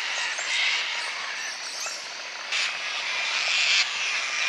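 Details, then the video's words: Sulphur-crested cockatoos give harsh, raspy screeches over a steady hiss, with one longer, louder screech in the middle. "Sulphur Crested Cockatoos"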